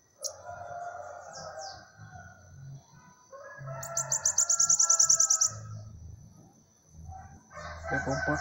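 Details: Bananaquit, described as 'cego de cara', giving a high, rapid, buzzy trill of about fifteen sharp notes in under two seconds, after a thin steady high whine and short high slurs; lower rooster-like crowing and a low murmur underneath.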